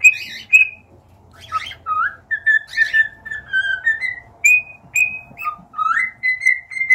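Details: Cockatiels whistling a varied, continuous sequence: buzzy opening notes, then slurred and level whistles roughly twice per second, some dipping low and others rising, ending in held high whistles.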